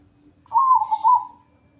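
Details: Zebra dove training song, top-and-bottom style: a single rolling, pulsed coo phrase lasting about three quarters of a second, steady in pitch, over faint low hum.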